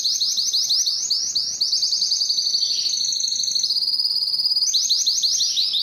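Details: Spanish Timbrado canary song; rapid rolling trills that shift between slightly different pitches, a smooth held note midway, then a return to fast pulsed rolling phrases.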